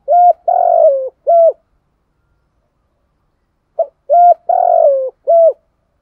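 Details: A spotted dove (Spilopelia chinensis) sings a "kích bổi" song used for training birds: two matching phrases, each a short coo, a longer rough coo and a falling final coo, with silence between them.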